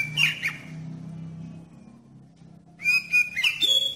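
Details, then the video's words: Oriental magpie-robin song used as a lure to get other magpie-robins singing: two bursts of clear, varied whistled notes, high and sliding, with a quiet pause between and a low hum underneath. "Suara Pancingan Kacer"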